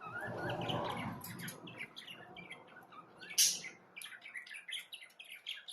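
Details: Budgerigars keeping up a steady twitter of quick, high chirps and squeaks, with one loud shrill note midway and a low hum at the start.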